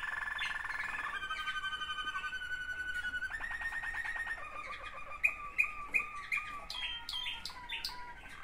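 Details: Waterslager canary, one of two siblings, holding long pure whistled tones that step down in pitch, then a series of sharp repeated chip notes and rising clicks near the end.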